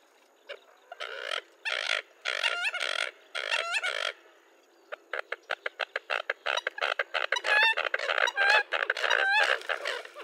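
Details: American coot in Florida, a small bird found year-round in marshes and streams among water plants, giving harsh, nasal clucks and grunts, first in a few slow bursts, then in a rapid, uneven run of short calls.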